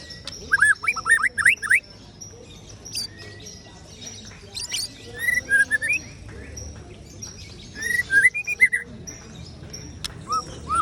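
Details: Ciung wanara white-rumped shama delivering varied song: quick rising whistle runs, scattered fluty slurs and sharp high notes in separate bursts, with quieter gaps and a faint background hum between phrases.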